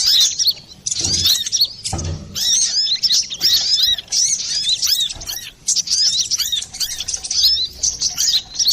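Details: Brown-throated sunbird, clear-voiced and noisy, as used for luring birds. Very high chattering phrases with quick slurred chirps run almost nonstop, opening with two low thumps around the first and second seconds.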